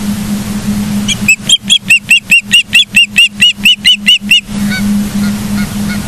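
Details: Osprey at a nest in Charlo, Montana, on a live nature cam, 09/07/2023 at 09:42: a fast run of about fourteen sharp, whistled chirps, evenly spaced, with a steady low hum and faint softer chirps afterward.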